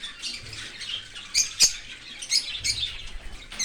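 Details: Baby cockatiel being fed by a parent perched outside the nest in an open aviary: continuous scratchy, buzzing food calls with several loud sharp squeaks and clicks standing out.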